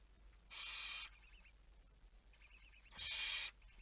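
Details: Two loud, hoarse hissing screeches about two and a half seconds apart, given by a barn owl at night on 11 May 2019 around 23:34.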